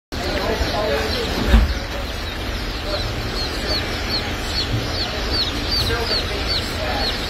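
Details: A group of baby chicks, buff laced and white crested black Polish chickens at a hatchery, gives high, thin, downward-slurred peeps repeated over and over through a busy background of rustling, thumps and murmured voices.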